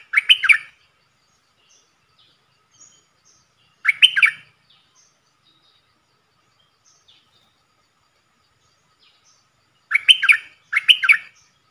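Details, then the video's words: Decoy bulbuls from a group of four, recorded 31 July 2021: short bursts of two or three bubbly, gurgling notes, repeated at long intervals with quiet pauses between. "เสียงต่อนกดอกแตงEp.68 เสียงต่อจากป่าจริงๆ นกต่อ4ตัว!!! Suara merbah lekir gacor"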